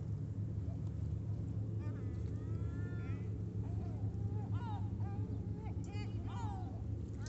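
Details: Several gulls in Sorrento, Italy, trade harsh mewing wails and short clipped yelps, some overlapping, against a heavy low rumble like traffic or boat engines.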